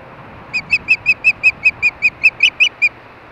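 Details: Osprey at a nest in Hellgate, Montana, calling during mating in the evening: a steady series of about thirteen short, high, whistled chirps, evenly spaced, over a light background hiss.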